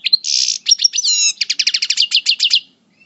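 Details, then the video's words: Parva European goldfinch coupleur, moulting, from El Bordj: a buzzy nasal burst and whistled notes, then about fifteen evenly repeated metallic chirps in quick succession. "Chant Chardonneret Parva Coupleur En Mue"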